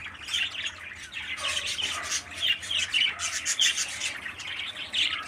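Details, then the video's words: Rasping, buzzy squawks from a 13-day-old captive parakeet chick raised by a breeder bird. They sound as a steady run of harsh bursts with brief pauses, growing louder in the middle. "Meet my 13 day's old baby parakeet"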